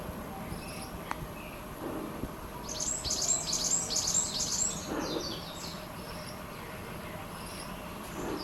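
A varied tit gives a quick two-second burst of very high, thin, tinkling notes that drift slightly downward. A few soft thumps and low background hum are also heard.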